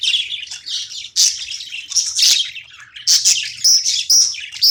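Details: Budgerigar at play, rapid mix of scratchy warbles and bright whistled chirps, loud bursts coming roughly once a second, with a faint background hum.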